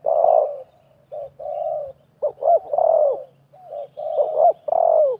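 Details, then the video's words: A wild spotted dove and a decoy answer each other while a half-circle snare set waits. A loud opening coo leads to softer notes and then paired clipped notes with long downslurred coos, repeated twice. "TERKUKUR LIAR DAN PIKAT BERADU/BERLAGA HEBAT"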